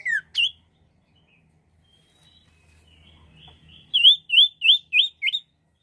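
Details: Common iora singing, used as a bird lure: a descending whistle and a sharp note, a quiet gap with faint soft twittering, then five loud looping whistled phrases repeated about every third of a second.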